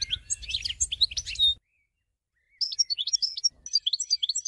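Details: European goldfinch song in two bursts of jumbled, liquid, high twitters and chirps, separated by a one-second silence; faint low rumble under the first burst.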